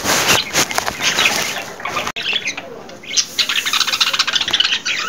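Budgerigars chattering in busy, scratchy chirps and warbles, with a few bursts of wing flutter.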